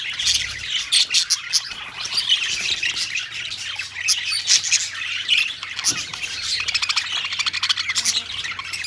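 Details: Many parakeets in a colony squawking at once, a thick chorus of shrill, overlapping calls with rapid stuttering bursts, swelling and dipping in loudness throughout.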